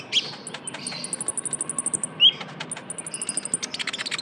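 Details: Young Van Hasselt's sunbird (kolibri ninja) used as a lure recording; a run of very high, thin ticking chirps repeated rapidly, with one brighter rising whistle midway.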